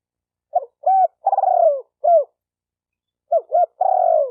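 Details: Spotted dove cooing, a call for stimulating males and females. Two phrases, each a short two-part note, a rolling long coo that falls in pitch, and a short closing note. The phrases are about three seconds apart over a silent background.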